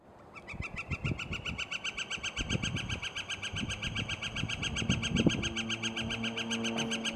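Northern Flicker giving a long, even series of loud, ringing notes, about four per second, with a man's voice talking underneath.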